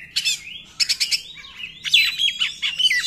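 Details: Oriental magpie-robin song in 'nembak' style, used to lure non-singing magpie-robins into song. A high whistle, clusters of dry rattles, then a varied, fluting warble with sliding notes.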